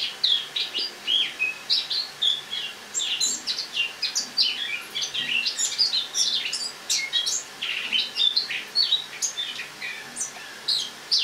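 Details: Caged Eurasian blackcap singing its autumn song indoors in a kitchen, recorded on the morning of 1 October 2017; a dense, continuous warble of quick varied chirps and whistled notes, high-pitched and without pause.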